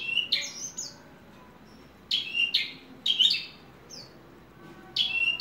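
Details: Captive ringed Horsfield's bush lark, a hobbyist's bird, utters bright high chirps in pairs and small groups, with about a second of quiet between clusters and faint low room hum beneath.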